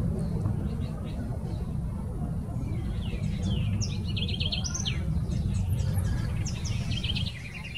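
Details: A Southern House Wren sings a fast, bubbling jumble of high trills and chattering notes over a steady low rumble of background noise, Jardim Botânico, São Paulo, Brazil, 26 November 2019.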